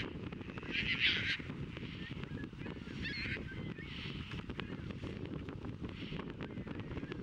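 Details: Caspian terns during courtship at Montrose Beach, Chicago, on April 22, 2024. The birds catch fish, offer them to potential mates and mate. A loud rasping cry comes near the start, then fainter harsh notes, over steady low wind and surf rumble.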